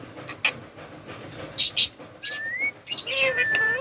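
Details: Pet Indian ringneck parrot, said to be talking while bathing: two sharp, high squawks, then a smooth rising whistle and a short burst of chattering, with a person speaking quietly in the background.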